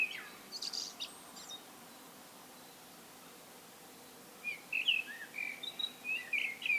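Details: Wild common blackbird giving solo song: a brief burst of phrases, a long quiet gap, then a run of clear whistled notes with high twittering flourishes near the end.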